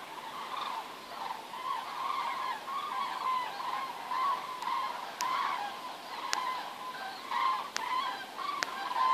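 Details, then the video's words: Wild geese flying south over Werdohl, escaping the winter: a flock's honking calls overlapping throughout, nasal notes with stacked overtones, steady broad rushing background noise, a few sharp clicks. "Wildgänse über Werdohl"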